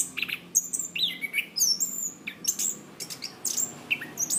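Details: Cage-bird training recording of anis kembang (Zoothera interpres) singing clearly: sweet whistled notes alternating with very high squeaky phrases and quick downslurred chips, delivered in a steady, busy stream.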